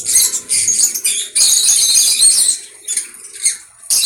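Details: Conure making rapid, shrill, scratchy squeaks, run together into one longer harsh burst in the middle, then shorter chirps trailing off toward the end.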